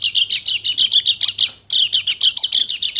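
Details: White-eye of the Bali dakun type in rapid-fire 'nembak' singing, used as a lure: two bursts of fast, high, trilled notes separated by a brief pause, with a low hum beneath the first burst.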